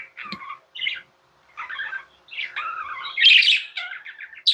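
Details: Indoor budgies chattering, a mix of gritty warbles, soft squeaks and a louder harsh burst near the end, with a faint steady hum.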